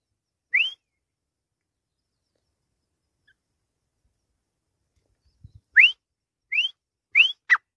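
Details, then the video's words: A Grey francolin gives loud, ringing whistles that sweep upward. It gives one note, then after a long pause four more about every two-thirds of a second, with a soft low thump before them. "Teetar ki Awaz | Grey Francolin Voice | Teetar Ki Boli"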